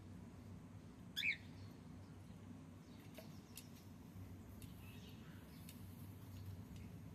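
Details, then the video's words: Male cockatiel giving one short, sharp rising chirp partway through, set against a steady low hum and background noise. "Cute Cockatiel sound 💝🎀male Sound"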